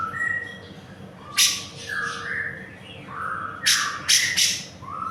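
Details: Actively singing grey-cheeked bulbul on a songbird tutor recording, giving mellow whistled notes that rise and fall, broken by a few loud harsh rasping bursts.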